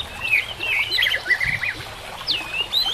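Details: White-rumped shama singing for a training recording: a string of warbled, looping whistles of middling pitch, then a clear upswept whistle near the end, with soft background noise.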